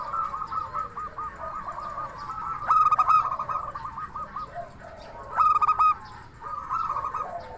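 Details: Zebra dove, local Indonesian bird, with a crystal-voiced lure song: soft rapid cooing rising into two loud ringing phrases near three and five and a half seconds, then fading murmured notes.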